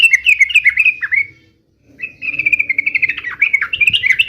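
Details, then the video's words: Two rapid runs of bright, bubbling, slightly warbled notes from a yellow-vented bulbul singing fighting song, split by a brief silence. "trucukan gacor UPLIK UPLIK TARUNG"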